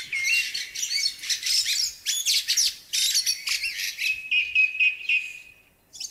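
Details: Song thrush singing in spring: loud, varied, high phrases of chirps and trills follow each other quickly, then a long, steady, level whistle before a short pause.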